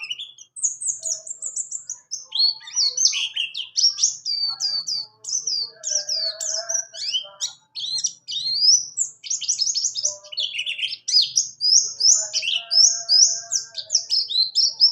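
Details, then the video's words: Extended 'ngalas ngerol' rolling song of a buxtoni white-eye, used as tutor song for other birds: busy high warbling of rising and falling whistles and trills, nearly nonstop, with quieter chirps underneath. "pleci buxtoni Ngalas ngerol cocok sekali untuk#masteran burung"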